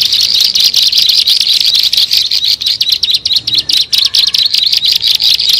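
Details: Lure call of a bar-winged prinia, made to attract birds: fast, high chirping notes packed closely together in an unbroken stream, with a few brief dips in the rhythm.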